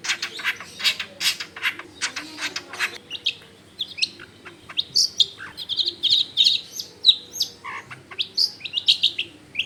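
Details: Long-tailed shrike singing as a lure to get other shrikes to join in, recorded among dense housing: fast scratchy ticking notes that give way to varied whistled phrases and chirps, with a faint low hum beneath.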